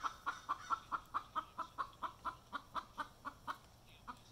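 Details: Hen after laying an egg, a steady series of evenly spaced clucks, a little over two per second, holding a similar pitch and fading slightly toward the end.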